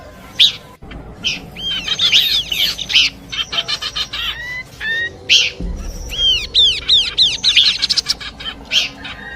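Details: Horsfield's babbler song in a combination recording meant for luring birds: a dense, varied run of high whistled notes, sharp arched chirps and fast rattling bursts, broken by short pauses and abrupt cuts.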